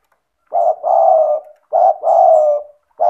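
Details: Lure recording of a spotted dove (tekukur) for doves reluctant to call: two deep, husky two-part coos, a brief note running into a drawn-out burr, and a third beginning just as it ends.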